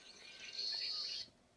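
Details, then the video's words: Oriental reed warbler in full song in Japan in May 2025, during spring: one loud, harsh, grating, high-pitched phrase of about half a second, then fading into quiet marsh background. "I'll put this sound on. This is the oriental reed warbler in full song."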